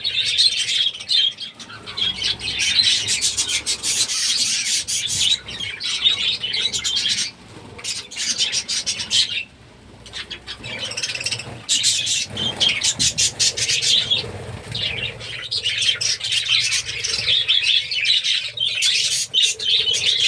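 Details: A large budgerigar colony of about 30 pairs chattering nonstop, a dense mix of high chirps, warbles and squawks.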